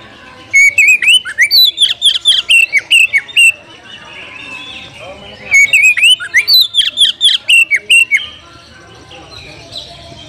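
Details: Oriental magpie-robin sounding a fighting challenge to a rival; two loud bursts of quick, sharp whistles and chattering notes, each lasting about three seconds, separated by a quieter gap with faint background sound.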